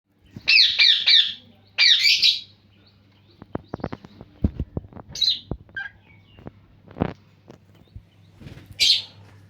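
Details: Parrot calling in the morning. Two bursts of harsh, buzzy screeches come early, followed by a series of soft clicks and taps. Scattered short squawks follow, with one more harsh screech near the end.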